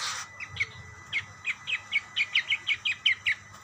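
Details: Budgerigars answering one another, heard as a brief harsh burst followed by a steady series of about fifteen short, clipped, high chirps that come faster toward the end.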